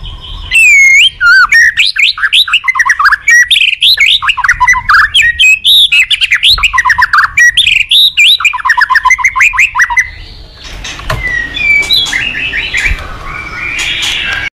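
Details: White-rumped shama singing in the morning as a lure for cage-bird training; a fast, dense stream of rolling whistled and chattering notes for about ten seconds, then quieter scattered chips.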